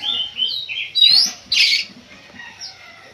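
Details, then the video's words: Oriental magpie-robin singing in pacingan: warbled whistles, a sharp rising whistle, then a loud harsh buzzy phrase, fading to soft notes toward the end. "pacingan kacer bikin emosi"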